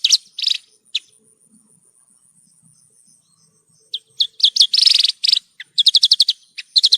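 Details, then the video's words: Horsfield's bush lark, called branjangan, in a recording for training caged birds: scattered sharp chips, a quiet gap, then dense buzzy bursts and rapid rattling note series. "Masteran Burung Branjangan"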